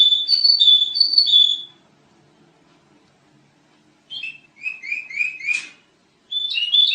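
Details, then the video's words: Sooty-headed bulbul in a noisy song recording: a few loud rolling whistles, two seconds of silence, then a quick set of rising chirps and a final burst of whistled notes. "Kicau Kutilang Masteran Edan Brisik Banget"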